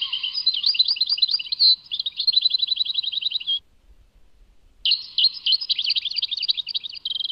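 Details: Tadmait song of a European goldfinch: dense, high twittering and tinkling notes run into a steady buzzy trill, break off for about a second of quiet, then resume with lively chattering phrases and a final sustained buzzy note.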